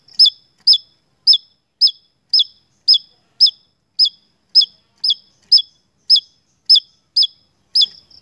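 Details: Sustained song of a Javan tesia on a lure recording for bird keepers. Around fifteen sharp, ringing notes, each dropping quickly, repeat in a fast, even string of roughly two per second.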